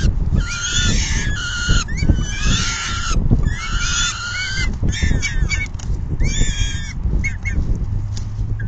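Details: Peregrine falcons at their nest during a full feeding by the female on June 10, 2022, in the afternoon; loud, harsh wailing calls in distinct bursts of about one second, separated by brief quiet spells, with low rumble.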